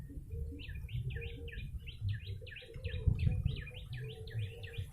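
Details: Yellow-bellied prinia lure call: a quick run of about sixteen high, bouncy chevron-shaped notes, each dipping then rising, delivered almost without pause over a steady low background rumble.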